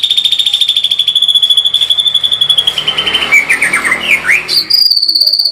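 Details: White-rumped shama producing a 'tembakan' burst: a long, buzzy, rapidly pulsed high trill that slowly drops in pitch, followed by tumbling whistled notes and a higher trill.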